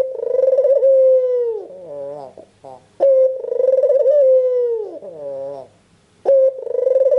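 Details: Albino Barbary dove, white and red-eyed, calling at full strength as a lure for other doves. Three long throbbing coos, each sinking at the end and followed by a gentle nasal upturned phrase, repeat roughly every three seconds.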